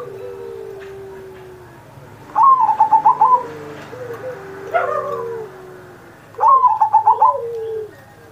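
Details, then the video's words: Zebra dove in captivity giving its master song for other pet doves: two bursts of fast, bubbly coo pulses four seconds apart, while lower, smoother cooing from another dove drifts underneath. "Perkutut Masteran Manggung Gacor Mancing Burung Lain"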